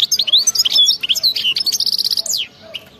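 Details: European goldfinch of wild stock singing a crazy 'batbata' song: quick tumbling high twitters, then an even run of rapid repeated notes and a falling slur, ending in a few soft notes.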